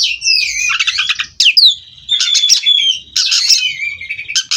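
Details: Captive-bred Oriental magpie-robin from a breeding farm, singing in a nonstop rolling style: loud, rich flow of whistles, sweeping slurs and fast scratchy trills, with sharp glides and brief gaps between phrases.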